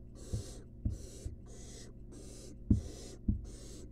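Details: Young wild barn owl begging for food as a rat is delivered to its nest box. Repeated hoarse, hissing screeches, each roughly half a second long, with occasional thumps.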